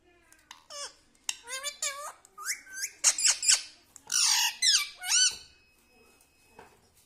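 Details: Talking pet parrot repeating words like mummy, papa and radhe; a busy series of short squeaky hooked notes and harsh rasping squawks, delivered rapidly in uneven bursts over several seconds.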